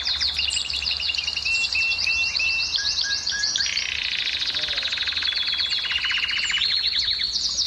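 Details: Canary song aimed at stirring females to breed: varied high trills, a run of steady whistled notes in the middle, then a loud rapid rattling trill to the end.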